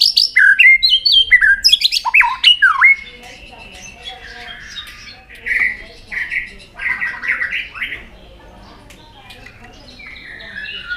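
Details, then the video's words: White-rumped shama singing in a contest, opening with a rapid burst of varied whistles and sharp swept notes, then softer scattered warbled phrases with pauses between. "Chòe lửa hót nhiều giọng rừng đảo liên tục.chòe lửa căng lửa hót đấu đập xoay"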